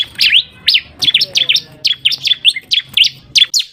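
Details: Bar-winged prinia call played as a lure to attract birds: a steady run of loud, high, sharply swept chirps, often doubled, repeated about three times a second throughout.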